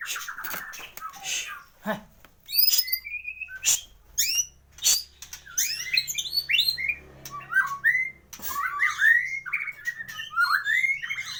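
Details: White-rumped shama, a champion caged bird with a full repertoire, sings a rapid, varied mix of sharp chirps, high upward flicks and twittering phrases, with brief pauses between bursts.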